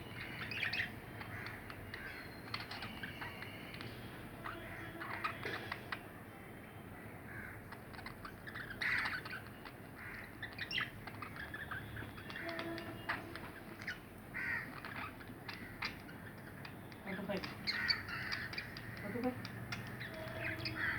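Two budgerigars chatter together in a steady stream of warbles, clicks and short scratchy squawks.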